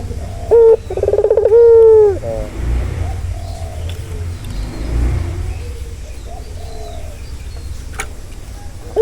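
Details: A ringneck dove, played to calm a stressed bird, gives one rolling low coo that ends in a long falling note, then mostly low background rumble with faint distant calls.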